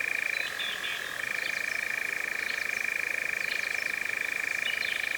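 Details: European Nightjar in Cefn Ddu forestry, North Wales, UK, first recorded in 2026 with a Zoom F3 and Micbooster Clippies: a sustained buzzing churr that shifts pitch slightly near the start, with light high bird calls in the background.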